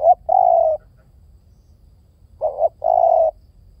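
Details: Two repeated coo phrases from a spotted dove about two and a half seconds apart, each a brief clipped note followed by a longer steady low coo, in otherwise quiet surroundings.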